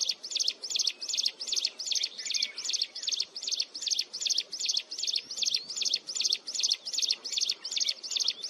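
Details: Mountain wren singing a continuous, shrill song: high, bright piercing notes repeated steadily about two and a half times per second throughout, with a faint low murmur underneath.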